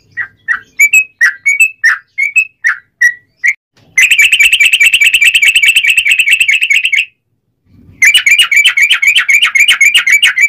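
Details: Sooty-headed bulbul singing as a lure for other bulbuls: opens with a series of short separate whistled notes, then long rapid buzzy trills of tightly packed notes, broken by a short silence.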